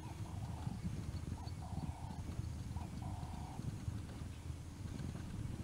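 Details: Male Swainson's spurfowl showing off his call at Naledi Cat-EYE, 10 November 2020: a short note, then drawn-out, rasping, even-pitched notes in three bursts, over constant low rumbling background noise.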